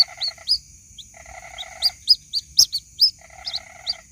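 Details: White-breasted waterhen chick calling its mother, recorded as a lure sound: thin, high, rising peeps repeated about twice a second, alongside bursts of a lower rapid ticking trill and a steady high whine.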